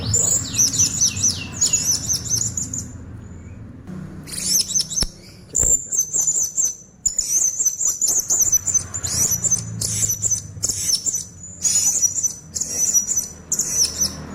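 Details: Blue-crowned hanging parrot song used as a lure for wild birds: very high, thin, rapid chittering trills in bursts of one to two seconds separated by short pauses, with faint low background rumble.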